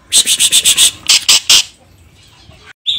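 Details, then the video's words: Greater green leafbird singing actively in the 'isian cililin' fill style: a run of seven rapid, bright, high chirping notes, a short pause, then three more, followed by near silence and a brief high note at the end. "CUCAK IJO GACOR ISIAN CILILIN"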